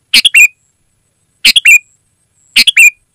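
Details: Sooty-headed bulbul song, used to call wild birds in the forest and to prompt caged birds at home: three loud, identical phrases, each a burst of harsh chirps ending in a slurred whistle, spaced about 1.2 seconds apart.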